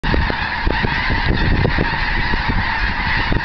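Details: Huge flock of snow geese taking off from a feeding field near Eagle Lake, Texas, on 7 February 2011. A dense, nonstop clamor of overlapping honks and yelps, with a low rumble of wind or wingbeats beneath.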